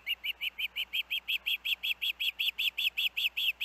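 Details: Osprey among the siblings at the nest after windy weather; loud, steady string of short arched whistled chirps, roughly twenty-two notes at about two and a half per second, evenly spaced throughout.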